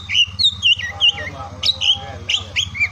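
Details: Oriental magpie-robin song for stimulating mute or idle birds, recorded morning, midday and afternoon: sweet looping whistled notes, rising and dipping, with short pauses, against a constant low rumble.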